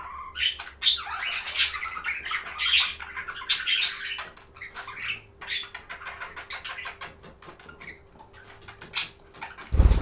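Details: Budgies in a calming recording give quick clicks, short chirps and scratchy chatter in irregular bursts, with a faint steady hum behind and a sharp noise at the very end.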